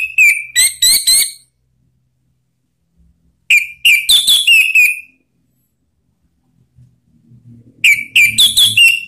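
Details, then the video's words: Orange-headed thrush phrases used as a lure to prompt other birds to sing: three bursts of loud, clear whistled notes with rapid chattering trills, separated by pauses of about two seconds, with faint low rumbling near the end. "Suara Panggilan ANIS MERAH biar ikut berkicau Ngeplong"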